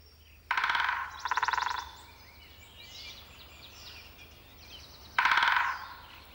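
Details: In spring, a woodpecker drums with its bill on a dead tree trunk to make itself heard: three fast, rattling rolls of about half a second each, two in quick succession and a third after a pause, over a quiet background.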